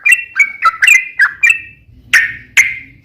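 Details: Sooty-headed bulbul song from a lure recording meant to set other bulbuls singing: a handful of fluty, slurred whistled phrases, then two short, sharp notes and a faint low hum.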